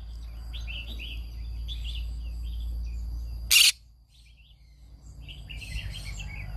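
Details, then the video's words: A green-cheeked conure singing in the morning gives squeaky chattering notes, one loud grating screech in the middle, then more rapid buzzy chirping afterward. "I sing every morning Aren't you bored? green cheek conure"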